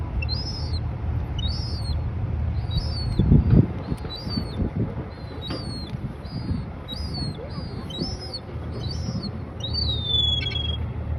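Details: Juvenile European herring gull giving high-pitched squeaking: thin, rising-falling squeals repeated about every half second to second, over steady low rumbling background noise with a few knocks.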